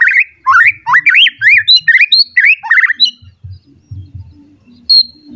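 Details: White-rumped shama in an agitated state, seeking a rival, sings a quick series of looping, rising and falling whistled notes, then trails off into quieter sounds with low background rumbling.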